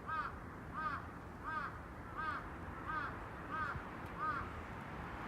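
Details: Crow giving seven short, rasping caws at a steady rhythm of one every 0.7 seconds, evenly spaced over a soft background hiss.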